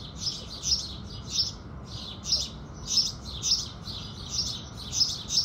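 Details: Natural sunrise recording of house sparrows singing in the morning, with no music. Dense, loud chirps repeat almost continuously in a steady, busy pattern over a faint low hum.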